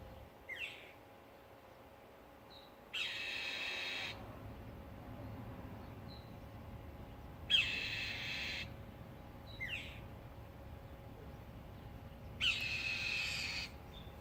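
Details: Bird recorded on Memorial Day weekend making strange sounds: long harsh, hissing screeches roughly every four to five seconds, with brief softer chirps between them and a faint steady hum.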